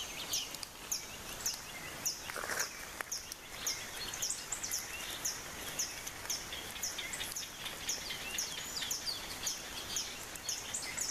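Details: Black-headed Tody-Flycatcher near Arenal Lake, Costa Rica, giving thin, very high, sharp chips, roughly two per second, with a brief lower rasp midway, over a steady hiss of background noise.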